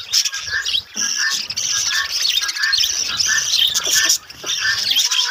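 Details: Colony of budgerigars kept for breeding, many birds warbling at once in a steady bright chatter of fast chirps and trills, with a brief dip near four seconds.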